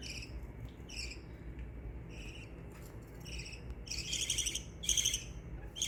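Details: Budgerigars kept at home chirp happily, spaced raspy notes about once a second that grow louder and denser toward the end, above a low steady hum.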